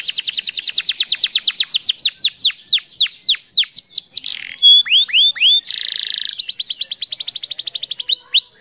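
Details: Tame domestic canary singing continuously, used to prompt quiet or reluctant canaries to sing: rapid rolling trills of downslurred whistled notes shift between several tours, with a harsh buzzy burst midway and high sharp chips near the end.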